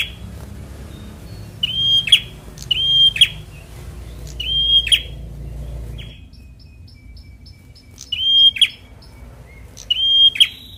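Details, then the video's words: Young fighter bar-winged prinia whose song is played to stir reluctant birds to sing; short flat whistles each closed by a harsh buzzy burst, given in quick series, with a thin high whistling bird in the background. "Prenjak Semi Muda fighter || Rangsang bunyi burung Malas bunyu"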